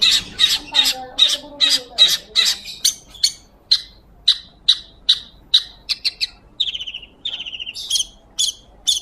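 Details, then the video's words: Long-tailed shrike in vigorous gacor singing, recorded as training audio for magpie-robins: harsh, buzzy squawked notes repeated about two to three per second, shifting to higher, thinner notes later, with soft low chattering underneath early on. "PENTET GACOR,,SUARA JERNIH COCOK BUAT MASTERAN BURUNG MURAI BATU"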